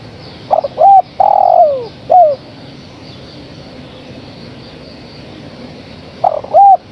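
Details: Female spotted dove calling vigorously to a male: low, hollow coo phrases of a short note, a hooked note and a longer drawn-out coo, with the phrase repeated after a pause of about four seconds over steady background hiss.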